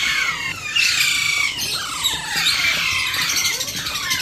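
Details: Alexandrine parakeet baby fed by hand, producing a dense, unbroken stream of shrill, buzzy squawks with short downward-sweeping notes layered together.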